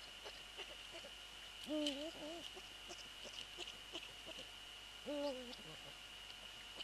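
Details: Eurasian eagle-owl at the nest, 3 February 2014, around a prey transfer and the male settling on the nest: two slightly wobbling, nasal tonal calls roughly three seconds apart, with faint clicks and rustling between them and a constant thin whine.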